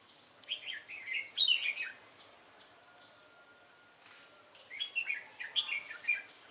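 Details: Caged red-whiskered bulbul, wild-caught, singing its competition fighting song: two bouts of bright whistled warbling phrases, with a quiet gap between them and a steady low background hum.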